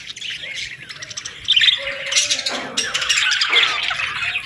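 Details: Morning parakeet chirping that starts softer, then breaks into louder bursts of bright twitters, short whistled notes and scratchy squawks from several birds.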